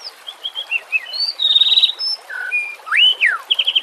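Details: White-rumped shama in a harsh 'nembak' training song: short chirps, a loud rattling buzz, a low whistle, then a bold rising-falling arched note and quick high chips.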